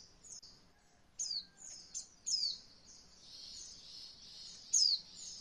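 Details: White-eye song used as a training recording for beginner birds learning the roll voll style: high, thin chirps and quick downslurred whistles with bursts of twittering, in short phrases with gaps and faint background hiss.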